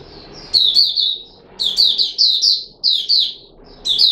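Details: Caged red-whiskered bulbul recorded on 13 April 2021 in a feeding experiment, delivering bright, slurred chirping phrases in quick succession with short gaps.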